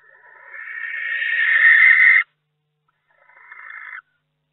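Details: Barn owl in a nest box during a week in May, with its second egg hatched and two still to go; a harsh, hissing screech swells in loudness for about two seconds, then breaks off, followed by a shorter, softer rasp.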